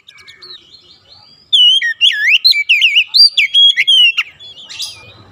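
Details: Oriental magpie-robin (kacer) song used as a stimulus for caged birds: after soft notes, a loud burst of varied, sweet whistles swooping up and down, with sharp accents, ending in quieter notes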